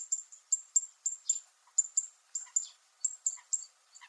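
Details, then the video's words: A zitting cisticola (Fan-tailed Warbler) gives a run of sharp, very high metallic ticks, roughly three a second at an uneven pace, with no other sounds; likely recorded on Miyako Island, Japan. "セッカの金属的な鳴き声 Fan-tailed Warble makes a metallic sound"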